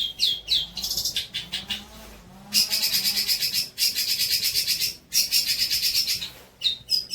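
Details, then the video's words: Long-tailed shrike song used as training material for other birds: dense high buzzy trills and rapid repeated chattering notes in fast bursts, with short pauses between phrases. "MATERI MEWAH BOLO BUAT MASTERAN TROTOL KAMU"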